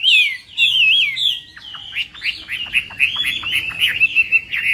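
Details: Chinese hwamei in morning voice training for song contests: fluid whistled slurs, then a rapid sequence of sharp clipped notes and warbles ending in a sustained buzzy high trill.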